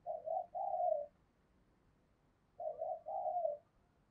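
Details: Spotted dove kept as a decoy, cooing daily in the 'thổ' style: two soft, distant-sounding phrases of short coos ending in a longer drawn note, over a low background hum.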